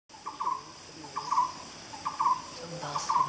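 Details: Black-browed barbet in Malaysian rainforest giving a hollow, trilled phrase near one pitch, repeated about every 0.8 seconds, with insects buzzing steadily high in the background.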